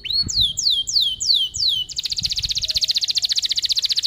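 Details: Canary in long, vigorous song played as a lure for young canaries learning to sing: five looping swept whistles, each rising then falling, give way to a tight, rapid, buzzy roll of pulses lasting about two seconds.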